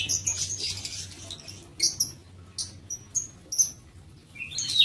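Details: High, clipped squeaks and chirps from lovebirds in a breeding aviary, repeated in short separate notes about every half second to second.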